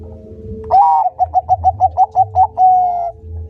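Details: A Bangkok-type zebra dove (perkutut), used as a master song for training, sings a soft, mellow coo, then about nine quick bubbling notes and a final drawn-out coo, over a faint steady hum.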